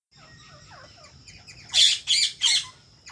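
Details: Pet talking rose-ringed (ringneck) parakeet (Psittacula krameri) gives three loud, harsh screeches about a third of a second apart, after soft chattering notes and a faint steady whistle.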